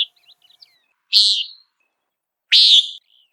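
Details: Two loud, harsh nasal peent notes from a Common Nighthawk flying in search of insects, about a second and a half apart, after a few soft faint chips.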